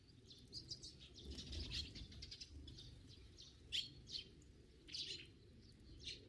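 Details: Sparrows giving busy overlapping chirps and twitters, a steady chatter of several birds with soft low background rumble.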